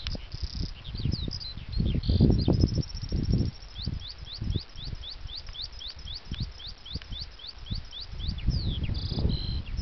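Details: Skylark song on Djouce: long runs of quick, rapidly repeated rising chirps, several a second, with brief buzzy bursts between, high and thin above heavy, gusty wind noise.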